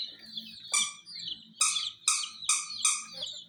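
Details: Hen chicks among miniature jeep toys give loud, sharp chirps about every half second over a background of thin continuous peeping.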